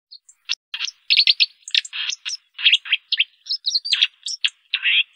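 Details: White-throated dipper singing a fast, scratchy warble of harsh buzzy notes mixed with thin high whistles and clicks, delivered in quick bursts with brief pauses; no other sounds.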